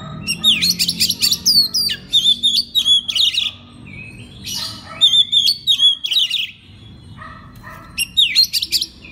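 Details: Oriental magpie-robin master recording meant to set other magpie-robins singing morning, noon and night: loud bursts of sharp rising and falling whistles and rapid chirps in rhythmic phrases, with short pauses between bursts.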